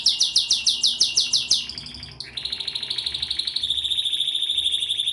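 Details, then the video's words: Pleasant canary song opening with about ten bright, rapid chirps, then sliding into long, smooth rolling trills that hold a steady high pitch to the end. "pleasant canary singing"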